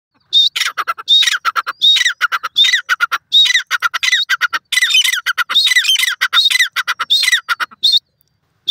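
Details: White francolin, also called irani teetar, said to come from Iran; harsh squawking phrases repeated roughly every 0.7 seconds, each a loud rasping note followed by a run of rapid clipped syllables, almost without pause.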